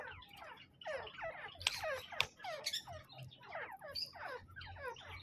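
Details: Male and female grey francolin (teetar) calling together: a rapid series of harsh, squeaky notes, each sliding steeply downward, tumbling out about three per second with a few sharper high squeals, over a low steady hum.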